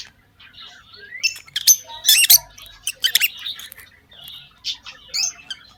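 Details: Lovebirds in a breeding setup during the breeding season chirping: irregular bursts of harsh squawks and shrill chirps, with brief rising whistles and quiet gaps between bursts.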